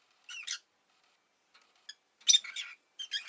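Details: Rosy-faced lovebird, a household pet that has laid an egg, gives rasping chirps: a doubled burst, a few tiny ticks, then a longer scratchy run and a final pair of notes.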